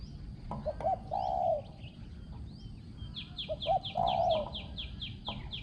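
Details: Decoy spotted dove, noted for a small, ringing voice and good phrasing. It gives two coo phrases, each a pair of short notes and then a long, smooth, falling coo. Another bird keeps up rapid, high, repeated chirps.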